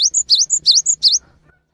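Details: Cinereous tit, lure recording to prompt silent or stressed tits to sing: rapid, high, ringing two-note phrases, about six notes in just over a second, with no other sounds.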